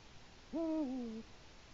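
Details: On an October 2017 evening in Latvia, a Eurasian eagle-owl at its nest gives one deep hoot to mark its area, held level and then stepping down in pitch, against steady faint noise.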